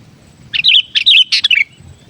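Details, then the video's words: Loud, lively song of a sooty-headed bulbul, played to draw in wild bulbuls, made of three bubbly bursts of warbling whistles in quick succession, the last dropping slightly, over a calm background. "Suara Burung Kutilang Gacor Ampuh buat pikat burung kutilang"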